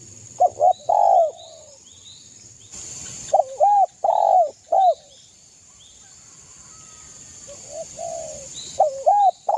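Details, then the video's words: Zebra dove from East Java in full song used to provoke rivals: short groups of loud, clipped, bouncing coos repeated across the recording, separated by pauses, faint chirping birds and a constant high-pitched hiss in the background. "SUARA burung derkuku gacor MENEKAN lawan EMOSI"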